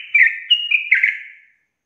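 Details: Sooty-headed bulbul, gacor 'ropel' song. A brief burst of three or four bright, fluty whistles runs together quickly, then fades into silence.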